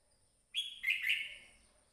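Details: Red-whiskered bulbul, the crested bird known locally as chào mào, giving a short song phrase. It opens with a bright rising whistle, then two quick warbled, liquid notes, and trails off. No other sounds.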